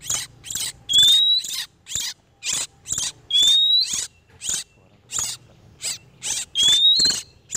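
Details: Male and female oriental magpie-robins in breeding condition, used as a lure for trapping wild birds: rapid harsh, scratchy bursts in quick succession, three times broken by a clear whistle sliding upward.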